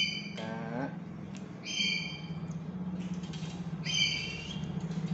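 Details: Black-capped lory, a tame and chatty pet that can also speak, uttering three grating nasal squawks spaced a second or two apart against a constant low droning hum.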